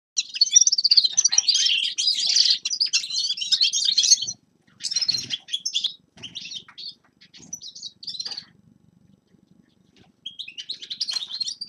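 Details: Forest birds singing in winter: bursts of high, twittering chirps and rapid trills, dense for the first four seconds, then shorter phrases separated by brief pauses and a quieter final burst.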